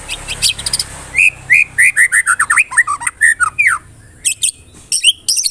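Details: White-rumped shama lure song used to provoke other shamas into singing: a rapid run of short, varied whistled notes sliding up and down, separated by brief high, sharp chips and buzzy bursts.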